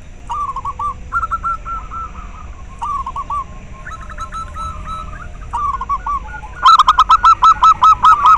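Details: Local zebra dove song, played to raise breeding drive in captive doves and to lure them. Several soft trilling coo phrases lead into a loud, steady string of short, repeated notes near the end.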